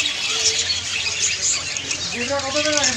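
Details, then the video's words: Busy budgie chatter: a steady wash of high twittering and squeaks, with a wavering warbled phrase near the end. "বাজরিগার পাখির ডাকাডাকি ~ বাজরিগার পাখি কিচিরমিচির শুনতে ভালো লাগে | Budgie birds singing"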